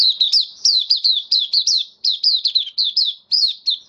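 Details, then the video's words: White-eye, a kept bird that finished regular deworming treatment on health supplements, 18 May 2022, in 'buka sing' opening song: a rapid run of high, sharp, down-slurred chirps repeated unevenly in close bursts. "Mata Puteh Kitaro buka sing"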